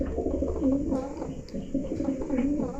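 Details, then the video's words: A male domestic pigeon gives low, throaty coos in short repeated bursts from the nest, calling his mate to come out, while she stays sitting; owner suspects she has laid eggs. "নর কবুতরটি ডাকাডাকি করছে।"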